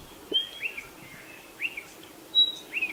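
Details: Spotted pardalote calling: high, clear whistled notes, each a short sharp note then a lower downslurred one, repeated about every 1.2 seconds over quiet background.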